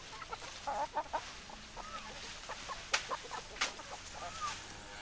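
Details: Hens clucking in short, low, repeated notes, with a few brief higher squawks and a faint drawn-out tone, quiet background.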